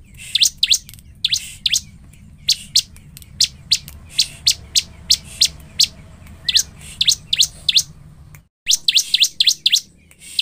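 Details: Lively bar-winged prinia singing as a provoking lure for a rival: long bursts of piercing high chirps, some rapid and clustered, broken by a brief silent cut before the chirping resumes.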